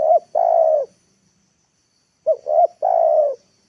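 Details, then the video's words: Lure spotted dove cooing in the afternoon to bring wild birds to the ground; the long final coo of one phrase, a pause, then a full phrase of two short rising notes and one sustained level coo. "TEKUKUR PIKAT NEKAN,AGAR BURUNG LIAR TURUN TANAH"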